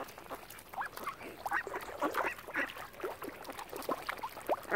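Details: Ducks on the lakeshore of Lough Neagh at Oxford Island, Ireland, crowding around swans; short, throaty quacks come in quick clusters, some slightly rising, with busy overlapping voices.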